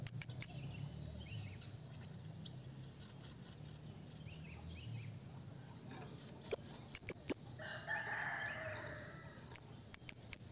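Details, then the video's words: {'caption': 'Blue-crowned hanging parrot calling a rival: clusters of piercing, very high trilled squeaks, repeated in short bursts and separated by brief pauses, with sharp clicks and a faint low hum in the background.'} "burung serindit bunyi memanggil lawan"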